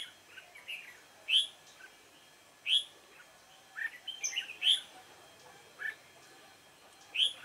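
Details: Red-whiskered bulbul with a dark bib, recorded during a decoy trapping session on 28 February 2017. Short, sharp whistled notes repeat irregularly about every second or two, with softer chirps in between.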